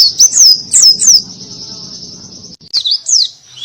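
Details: Buxton's white-eye giving a few high, sweeping down-slurred whistles over a thin sustained tone, in the canary-like 'tembakan kenari' style. A faint low hum is also heard.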